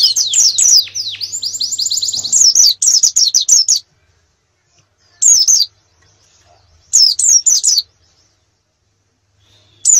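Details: Canary master song for competition training: a fast rolling trill, then a run of sharp high notes, followed by short bursts of chirping separated by silent gaps.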